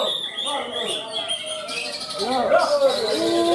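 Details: Greater green leafbird (cucak ijo) singing at a songbird contest and exhibition in Malinau: rich, fast stream of varied whistles and chattering notes, with other birds and faint voices mixed in.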